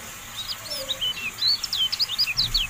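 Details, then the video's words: Kecial kuning (Javan white-eye) tutoring song for caged birds: sweet, high, slurred whistles in a quick, lilting sequence, growing busier toward the end, with a soft low knock near the close. "MASTERAN TERBARU KECIAL KUNING"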